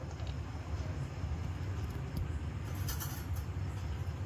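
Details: Low, continuous vehicle rumble fills the recording, with a few brief high clatters and no animal call.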